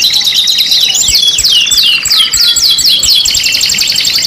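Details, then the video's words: Layered canary singing for a five-in-one pancingan, with a rattling fast trill under a sequence of repeated hooked whistles, roughly four per second, then a dense high chatter to the end. "PANCINGAN KENARI 5 IN 1 | CANARY SINGING"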